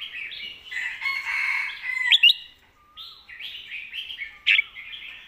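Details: Red-whiskered bulbul performing a master song (เพลงแม่บท): bright warbled phrases with a dense, raspy passage early on, two sharp loud notes near two seconds, then rolling chirpy notes and a final emphatic note.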